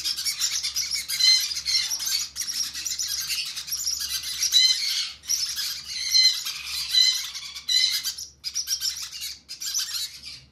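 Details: Hand-fed conure chicks beg with a near-continuous stream of rasping, buzzy squawks, broken into uneven bursts roughly once a second.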